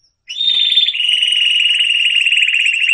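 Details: Canary song recorded for training young canaries: after a brief silence, a bright, rapid trill begins high, then drops at about one second into a lower, steady rolling trill that runs unbroken to the end.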